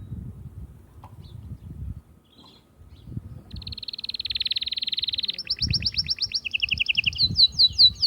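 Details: Atlantic canary song, meant to stimulate females for mating: after a quiet start with low background rumble, a long buzzy rapid trill sets in, then quick repeated high notes and sweeping phrases that grow louder.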